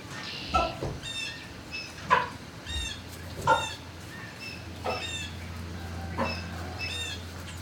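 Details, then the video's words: Barn turkeys recorded shortly after noon on 26 March 2019 give repeated short, bright chirps and several louder clipped yelps roughly every second, many birds calling at once over a steady low mechanical hum. "Turkey Barn"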